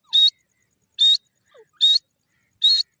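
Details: Grey francolin, known locally as Sindhi teetar, giving a rapid run of four loud, harsh notes with a whistled core, spaced under a second apart, and a faint soft note in one gap.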